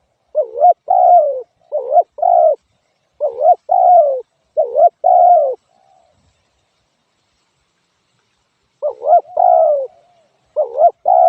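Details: Spotted dove repeating its two-note coo: a quick bent note and a longer falling one, five pairs in a row, a pause of about three seconds, then two more pairs. Otherwise quiet.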